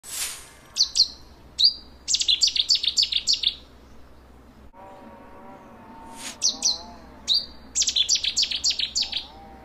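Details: Cetti's warbler skulking in Thames-side bushes at South Stoke, South Oxfordshire, gives two sudden loud song outbursts a few seconds apart. Each is a sharp opening note, then a fast ringing run of repeated notes, with faint lower warbling between.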